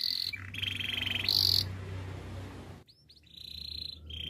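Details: Canary singing for song training: sustained high trills, a buzzy rolling passage, a brief silent break, then a steady bright trill resumes, over a constant low hum.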